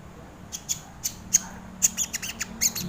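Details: Crested jay (sogon bird) used as a lure and master recording for training birds: short, sharp squawking notes with high ringing tops, given in irregular bursts of about ten over three seconds, over a faint low hum.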